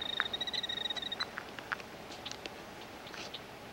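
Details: Killdeer performing a distraction display, feigning injury with a broken-wing act, on Iona Island, Richmond, B.C., Canada, June 17, 1995; a run of thin, high, rapid notes in the first second, then scattered sharp chips over faint background hiss.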